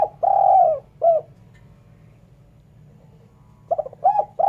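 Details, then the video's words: Spotted dove calling, a clean recording used as a lure for trapping birds; a long mellow coo, a short coo, then after a pause another stuttering phrase of quick coos ending in a drawn-out note. "Suara Burung Terkukur/Derkuku bersih cocok untuk PIKAt."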